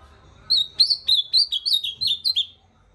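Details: Ultramarine grosbeak singing a rapid phrase of about eight slurred whistled notes, each sliding downward, the series gradually dropping in pitch over two seconds, clear against a quiet background.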